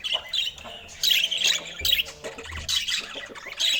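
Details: Pet budgies at feeding time with fresh fruit give sharp high squawks in separate bursts roughly every second, with softer chatter and faint low knocks between them.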